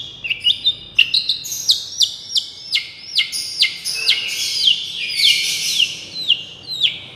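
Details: Long-tailed shrike, miyik song used for therapy: quick, steeply falling whistled notes repeated in a rapid, slightly uneven rhythm, with denser chatter in the middle.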